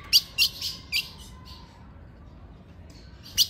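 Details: Late-afternoon calling of a female ultramarine grosbeak meant to excite a male: a quick run of four bright, clipped chips, a pause of about two seconds, then one more sharp chip.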